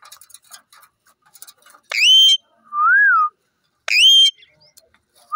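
An Indian ringneck parrot gives two harsh, ringing screeches about two seconds apart, with a smooth rise-and-fall whistle between them and a rising whistle at the end.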